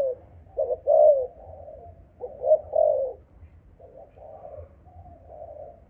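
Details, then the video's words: Cooing spotted dove from a Malaysian line, 'âm thổ' voice type. Two clear mellow phrases of stuttered notes ending in a longer coo are followed by a quieter, fading third phrase, with low rumbling in the background. "Cu gáy malaysia dòng âm thổ tê tái"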